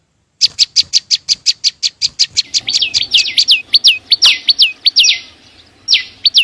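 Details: Green flowerpecker, locally chim sâu xanh, starting with rapid high ticks that turn into rhythmic, down-slurred whistled notes, some overlapping with a brief buzzy sweep.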